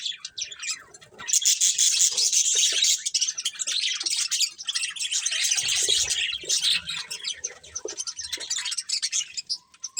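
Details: Several colourful budgies chatter while feeding, a nearly continuous wash of high, scratchy chirps and warbled notes about three per second, thinning toward the end; faint low knocks in the middle.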